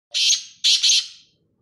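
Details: Black francolin (kala teetar) calling: three harsh, grating, rasping notes, a single note followed after a short pause by a quick pair, all loud and clear against silence.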